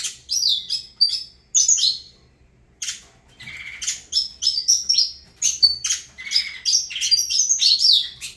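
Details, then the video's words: Saffron finch, Avalanche song, with rapid high chirps in bursts after a short gap, continuing as a busy run of sharp notes. "Canto do Canário da Terra Avalanche"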